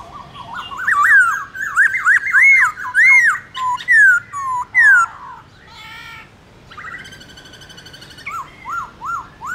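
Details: Morning fighting song of a Black-throated laughingthrush in forest voice, used to train birds: a fast run of looping, rising-and-falling whistles, a harsh rasping burst, then steady short repeated whistled notes.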